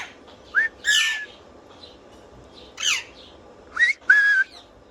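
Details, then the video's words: Whistling parrot giving brief rising whistles and a steady level whistle near the end, mixed with two rasping squawks with several overtones. "Parrot whistling full enjoyment"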